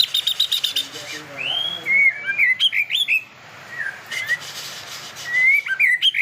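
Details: White-rumped shama being trained to become a fighter although it heats up late: pure slurred whistles and quick twisting notes, interrupted by short rasping bursts and a brief pause.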